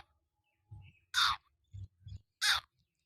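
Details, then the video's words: Black francolin (kala tetar) giving two loud, harsh, grating notes about a second apart, mixed with soft low thumping knocks from nearby handling. "kala tetar ki awaz boli - black francolin voice"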